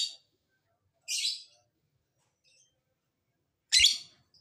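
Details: Lovebird calls to get lovebirds singing and replying: three short shrill raspy squawks spaced over four seconds, a faint knock near the end.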